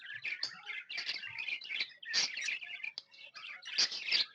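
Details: Happy pet budgerigars give rapid, overlapping squeaks and buzzy warbles, a nonstop high chatter with a few louder sharp chirps standing out.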